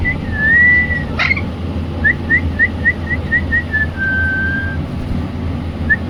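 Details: Indian ringneck parrot whistling: one long wavering tone, then a run of about ten short, evenly spaced chirps and a flat sustained whistle, all over a steady low rumble.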